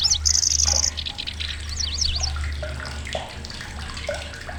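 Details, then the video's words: Grasshopper warbler, a migrant bird reaching Indonesia, with a loud, shrill voice of rasping phrases and sharp bursts. A high, even, insect-like reel opens, followed by rapid zigzag chirps, over a steady low hum and water-like noise. "KECICI BELALANG"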